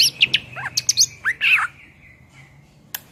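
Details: Greater green leafbird in energetic song, recorded as a tutor for songbirds: a quick jumble of sharp chirps and slurred whistles, ending in a burst of rich warbled notes over a steady low hum.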